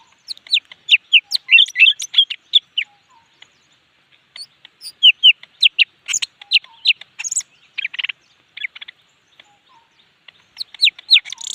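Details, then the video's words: Highly fired-up leafbird delivering a rapid, varied stream of bright chirps, slurred whistles and twittering notes in dense phrases, with a brief harsher buzzy patch near the middle; no other sounds stand out. "chim xanh cực xung"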